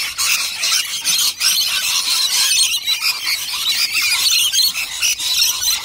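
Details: Wild rainbow lorikeets, native birds gathered in huge numbers to feed on nectar, heard up close: a dense, continuous chorus of shrill, high screeches and squeals from many birds overlapping without pause.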